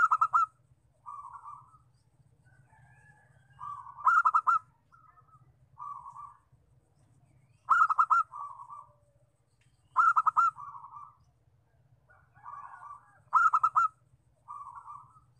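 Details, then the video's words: Zebra dove lure call of a local bird, meant to draw in wild doves: stuttering bursts of clipped coos, each trailing into lower purring notes, repeated about every three seconds against a constant faint low hum. "Suara pikat perkutut lokal"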